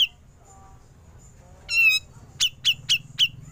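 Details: Grey-cheeked bulbul in ngepik style, a recording meant for training songbirds: one buzzy, overtone-rich rising note, then four sharp, high, downslurred 'pik' notes about a quarter second apart over low background hum.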